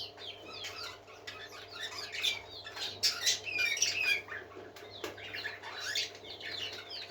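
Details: Continuous parakeet song: busy twittering and chirruping with sweeping whistled slurs, swelling louder in the middle, and a soft tap near the end over a low hum.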